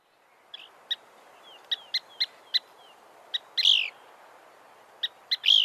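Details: A rare Couch's Kingbird recorded in Nevada in 2023 gives sharp, high 'kip' notes at irregular intervals, broken by two louder, burry, down-slurred 'breer' calls, over faint background hiss.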